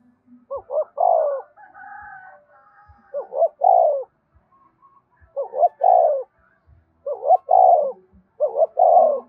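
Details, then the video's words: Spotted dove cooing song, a prompting song played for wild-caught captive doves to call along with all day: five repeated phrases of two short rising hoots then a longer rolling coo, about every two seconds, with softer murmurs between. "Tiếng chim cu gáy thúc cực đỉnh, mở lên bổi nghe gáy theo cả ngày"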